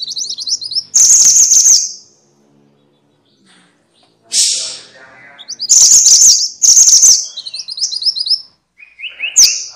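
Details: Noisy minivets (Pericrocotus, called mantenan or sepah in Indonesia) give high, thin, sibilant whistled notes in rapid bursts, several short trills repeated with brief pauses between them.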